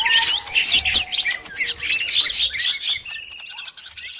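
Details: Cucak ijo lure sound, specially mixed to attract birds, described as noisy: dense, restless high chirps and twisting whistled phrases packed together, several notes overlapping, with faint low rumble beneath and a quieter tail at the end.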